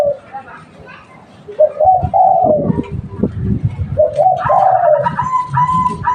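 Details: Spotted dove, local bird used as a lure, delivering two hoarse three-note coo phrases amid handling knocks and rustling, with a brighter, higher ringing tone entering near the end.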